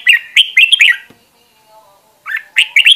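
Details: Red-whiskered bulbul voice-training song: a short burst of lively whistled, warbling notes, a pause of about a second, then another quick phrase.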